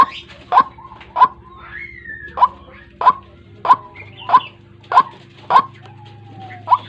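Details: Morning trapping lure of White-breasted waterhen: sharp repeated croaks about every half second, with faint whistled glides between and a low mechanical hum.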